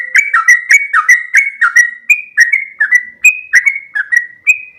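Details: Masteran recording of a yellow-vented bulbul, trucuk, singing long ropel: clear, fluty slurred whistles run quickly and evenly, phrases linked without gaps, pitch rolling gently up and down.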